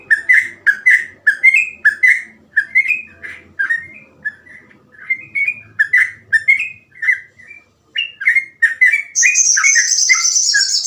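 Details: Sooty-headed bulbul in rapid 'gacor ropel' song: steady, even series of short, liquid whistled notes with small upward flicks, nearly two per second, ending with a continuous high buzzy chatter.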